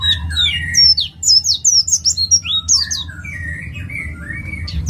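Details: East Java ngalas white-eye, a lure song for other birds: high, quick slurred whistles mixed with lower, rolling whistled notes, over a faint steady hum.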